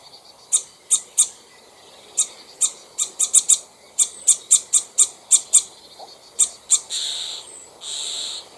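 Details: A Common Starling at the top of its nest tree, one of a pair, gives sharp, clicking alarm notes, about two or three a second, then two longer harsh rasps, shortly before a raptor attacked.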